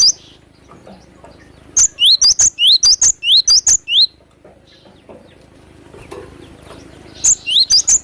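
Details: Wild cinereous tit (glatik batu) sound used for luring: a burst of sharp upslurred whistles with high ticks, repeated rapidly for about two seconds, then a quiet pause before another short burst of the same notes.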